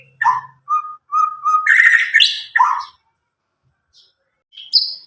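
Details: About nine-month-old Medan white-rumped shama, just past its spotted juvenile plumage, singing with a loud clear voice; steady whistled notes build into a burst of rich chattering phrases, then near silence and a final high note.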